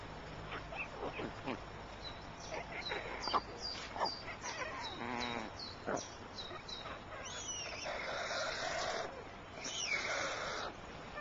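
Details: Adult white storks at the nest, changing over care and feeding: scattered dry knocking clicks, then a short fast rattling burst midway, followed by high thin chirps of small birds in the background.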